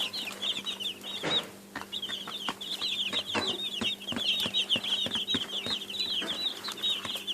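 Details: Baby chicks keep up a rapid chorus of high cheeping notes, briefly dipping near the second second before resuming, with soft scuffling, clicks from movement and a faint hum behind.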